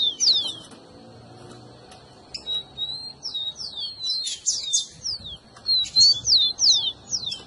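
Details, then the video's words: Rufous-collared sparrow song played to excite a pet bird: fast high slurred whistles, a quiet gap, then runs of rising and falling whistles mixed with buzzy notes. "seu tico tico vai ficar doido com esse áudio"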